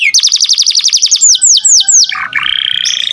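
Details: Canary in lively song for tutoring songbirds: a rapid series of short high chirps, four clear downward-sweeping whistles, then a drop into a steady buzzy trill.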